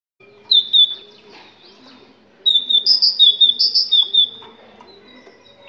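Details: Moroccan great tit singing bright, high whistled notes, a short pair of phrases, then a rapid run of about ten ringing two-part notes after a brief pause, over a low steady hum.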